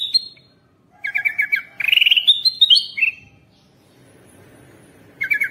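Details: Bulbul sound used to draw in wild birds: a high opening note, then fast doubled chirps, a buzzy rising run and whistled notes, a long quiet pause, and fresh chirps at the close.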